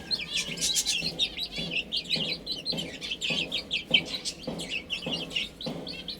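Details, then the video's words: A brood of chicks feeding and drinking gives continuous high trilled peeps. Steady pecking knocks repeat roughly every half second throughout. "Cute Chicks Chirping Sounds"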